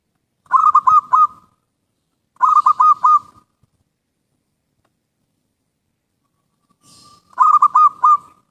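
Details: Zebra dove song for luring birds: three bursts of rapid, low, bubbling cooing notes, each about a second long, separated by pauses of roughly one and four seconds, on a quiet background.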